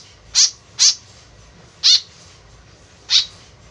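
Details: Lure call of a tame white-breasted woodswallow: four short grating notes, a quick pair followed by two single calls after longer pauses.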